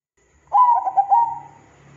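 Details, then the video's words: Zebra dove song played to provoke other zebra doves to sing: a clear coo, several rapid rolling notes and a long even final note, with a faint low hum continuing afterwards. "PANCINGAN PERKUTUT GACOR DOR"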